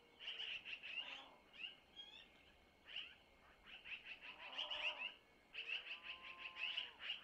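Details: Long-eared owl owlets at a nest in Missoula, filmed by a nest camera around 05:05 on 25 April 2024 as the mother passes them food taken from the male; high, hoarse squeals come in repeated bursts, with fainter lower cries between.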